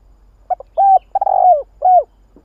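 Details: Spotted dove lure call for attracting doves: one full phrase of two quick notes, a smooth coo, a long buzzy downward-sliding coo, and a closing falling coo.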